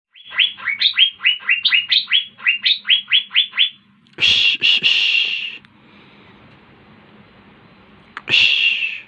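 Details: Asian fairy-bluebird singing vigorously: a quick run of about fourteen clear rising whistled upslurs, then harsh, broad rasping bursts and another rasp near the end.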